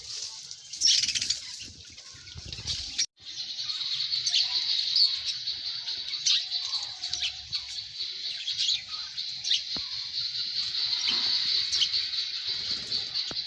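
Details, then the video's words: A steady high twittering of many birds forms a continuous shimmering chorus, with a few louder tweets early on and a brief dropout. "birds soothing birds chirps sound amaizing"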